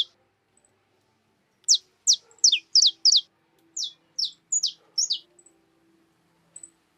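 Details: At a feeder stocked with cracked corn, free-living birds utter about a dozen crisp, high, descending chirps in uneven bursts, with a faint low hum in the background.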